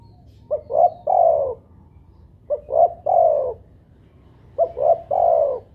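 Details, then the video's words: Spotted dove (derkuku) lure call to prompt doves to coo: three phrases of a clipped note, a short coo and a long falling coo, spaced about two seconds apart, quiet hum in the background. "pancingan burung tekukur buat derkuku agar bunyi"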